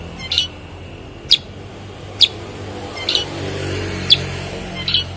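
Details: Cucak kurincang, a bulbul also named kutilang sutra and kuniran, uttering single short, high, sharp notes roughly once a second against a soft background hiss.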